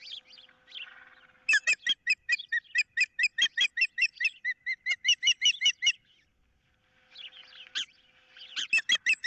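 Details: Osprey at a nest cam on 15 April 2023, calling while one bird holds a fish on a pole, another wants it, and an intruder is near: loud, sharp whistled notes fired in a fast, even run of about twenty-five, then a pause and a fresh burst.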